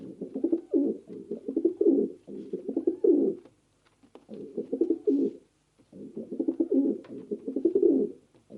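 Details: Pigeon cooing: low, throaty, rolling coos in three long bursts, each made of quick pulsing notes that swell and fade, with short silent gaps between.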